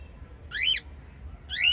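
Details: Two loud, scratchy chirps from pet white lovebirds, one of a group of five, each sweeping up and then down, separated by a short pause over low background hum.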